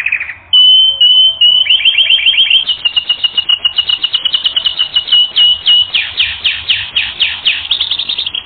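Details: A canary from a training recording pours out a steady high trill that starts with a thin whistle and builds into fast, evenly repeated chirping notes, growing louder and fuller toward the end.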